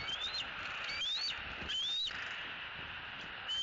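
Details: Bald eagle at a Southwest Florida nest, young eagle E10 on its last evening before departure, May 3, 2018, around 18:39, nest camera: thin, high whistled notes rising in pitch, three in quick succession, over a steady broadband hiss.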